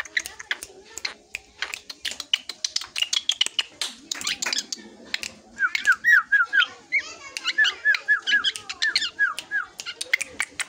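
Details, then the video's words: Young drongo growing into adulthood, singing a varied run of sharp chips and clicks, then a series of quick repeated whistled notes, each rising then dropping, delivered in rapid bursts. "Beranjak Dewasa Ini Suara Srigunting Yang Paling Unik dan Fenomenal"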